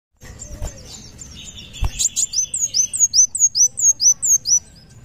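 A sunbird sings a fast run of thin, very high, down-slurred notes, about three a second, after a few brief buzzy twitters.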